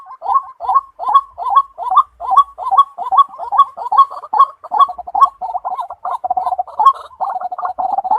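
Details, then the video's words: White-breasted waterhen (tikling) giving harsh, croaking notes about twice a second, running together into a faster, rattling chatter toward the end. "White Breasted Water Hen, tikling (kalapini bird) sound"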